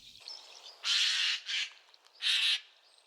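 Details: Eurasian jay giving harsh, unmusical alarm calls, which warn other animals of hunters so they flee or hide: three loud rasping bursts, the first and last longest, the middle one short, over faint background noise.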